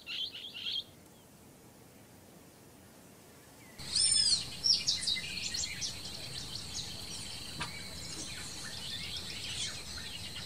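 Blue-headed parrot giving a few high chirps, then a sudden burst of sharp, squeaky calls and ongoing chatter over a steady high whine.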